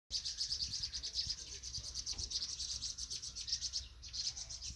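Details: Vinous-throated parrotbill fledglings leaving the nest, in Banghak-dong, Dobong-gu: dense, continuous high thin chirping from several birds, overlapping with no pauses, over a low background rumble.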